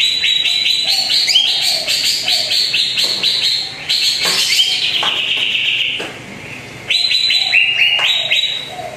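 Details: Greater green leafbird song meant as a lure for a bird that seldom sings. A long run of quick rising whistles and chatter, a short lull near the end, then renewed bright upslurred notes.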